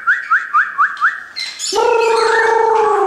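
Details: Captive shamas brought by their owner give five quick upslurred whistles in a row. A steady low drawn-out tone with strong overtones then takes over.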